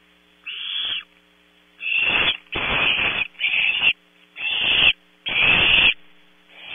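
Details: Several barn owl nestlings at Starr Ranch, California, contest a 0300 prey delivery while one looks for scraps; rapid overlapping rasping screeches and hisses, six bursts in under seven seconds, louder and denser toward the middle.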